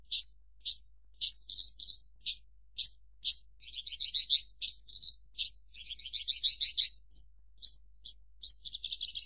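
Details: Javan bush lark song mixing spaced sharp chips with rapid rattling trills, the phrases alternating energetically and continuing throughout.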